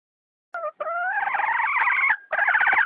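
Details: Hen giving a harsh, harmonic call that starts with a short note, then rises into a long buzzy stretch of about a second and a half, broken briefly before a final rough burst. No other sounds are heard.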